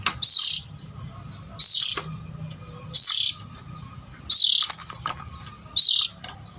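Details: Oriental magpie-robin call played to attract adult birds: five strong, buzzy, rasping bursts beginning with a rising whistle, spaced roughly a second and a half apart, soft low hum throughout.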